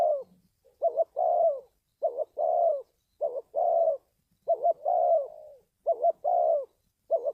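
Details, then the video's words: Spotted dove calls for luring wild doves into traps. Low, husky cooing phrases arrive about every second and a half, each a quick paired note followed by a longer coo, with a faint low note near the start. "tiếng chim cu gáy luyện mồi kích bổi,đi bẫy hiệu quả"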